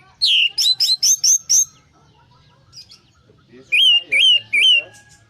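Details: Orange-headed thrush song used to provoke a stressed, silent bird to sing: a quick series of six sharp, high whistled notes, a pause, then three repeated rising-falling slurred whistles.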